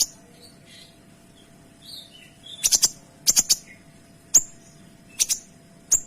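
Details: Kinoy with soft high warbled notes at first, then loud crisp bursts of two or three piercing notes, spaced about a second apart, with single sharp notes in between.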